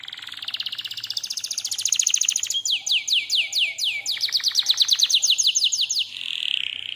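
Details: Canary singing a master lure song: a rapid buzzy trill gives way to a series of sharp, high downward-sweeping notes, then fast rolling repeats, ending on a brief buzzy note.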